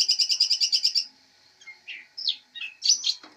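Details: Long-tailed shrike, a master bird called a fighter, opening with a rapid even rattle of high notes for one second, then a pause and several scratchy varied chirps.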